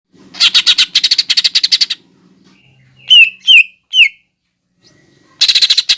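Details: Lesser green leafbird masteran training song with fighting sparrow, lovebird and hummingbird imitations: rapid buzzy chattering bursts, then three sharp descending whistled notes, then more chatter over a faint low hum.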